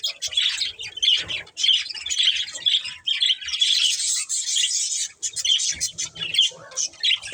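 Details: Caged budgerigar breeding pair chirping in a busy, bubbling warble of short whistled and scratchy notes, repeated in quick bursts with brief breaks.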